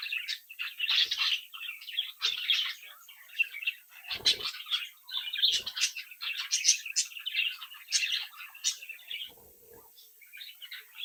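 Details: A brood of budgerigar chicks, kept in captivity, singing, chirping and mimicking; continuous busy warble of buzzy notes and sharp chirps, interrupted by a few low knocks or wing flaps.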